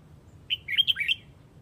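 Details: Flock call of a red-whiskered bulbul of the Huế type: a lively burst of six or seven warbled whistles rising and falling, packed into about seven tenths of a second, over a low steady background rumble.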